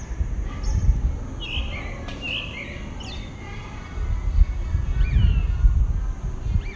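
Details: Pale-breasted thrush, a single bird singing at dawn in southeastern Brazil; brief downslurred whistles and short phrases separated by gaps, against loud low-frequency rumble and background hiss.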